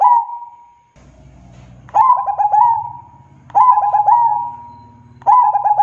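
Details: Perkutut, a local zebra dove, in lively song: repeated phrases of quick stuttering coos that settle into a sustained level tone, about three phrases in six seconds, with a faint low hum in the background.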